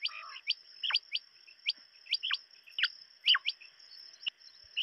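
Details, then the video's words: Quail giving short, sharp chirps that drop in pitch, several overlapping at an uneven pace, over a steady high-pitched whine. "сайроки бедана Садои Batair Ki Awaz Quail sounds بٹیروں کی آواز"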